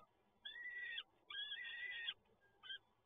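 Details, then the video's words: Begging of peregrine falcon chicks at feeding time, PGE Toruń nest, Poland, 30 April 2022. Two long, strained, harmonic wails, each about a second, then a short third cry, over faint background hiss. "Sokół wędrowny PGE Toruń - Karmienie"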